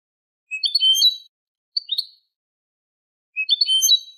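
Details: Eurasian goldfinch song in the Malaga copla style, recorded as tutoring for young goldfinches and hybrids: short bursts of sharp, twittering high notes, a brief two-note chip in between, then another twittering burst, with silent gaps.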